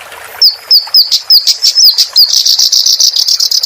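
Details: Clamorous reed warbler song for tutoring cage birds. A series of sharp, evenly repeated whip-like notes accelerates into a continuous high trill.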